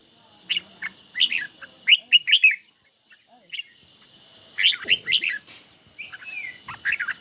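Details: Red-whiskered bulbul kept in a cage, dueling in song against a phone recording on a sunny day; clusters of rapid, loud, rich whistled notes come in two main bursts, with a quiet gap between and a faint hum behind.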